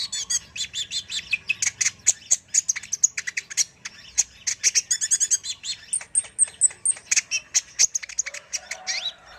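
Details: Kolibri ninja sunbird in energetic master song: a dense, unbroken series of sharp, high chirps and ticks, with short trills and one thin, rising whistle near the middle.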